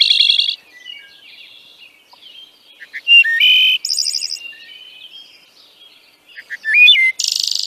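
Wood Thrush song: soft introductory notes, then fluting phrases ending in bright, buzzy trills with several tones at once, repeated every few seconds.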